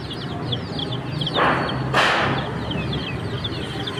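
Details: Chirping chicken chicks, high downward-slurred peeps running on steadily while two brief rustling or scraping bursts break in around the middle, low hum beneath.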